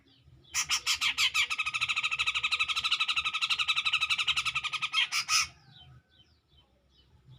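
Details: Grey-cheeked bulbul in loud, clear song provoking a rival, 2021: a long rattling chatter of buzzy pulses, roughly six per second, held for five seconds before fading into quiet.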